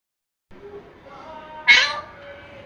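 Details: A parrot says "hello": a soft, tonal, voice-like phrase followed by one loud, harsh, rasping burst, with faint background music.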